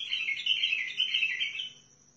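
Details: A bulbul of the Sihani type, Basra and Al-Faw, sings a continuous bubbling warble of almost two seconds that tapers off near the end, a faint steady high tone in the background.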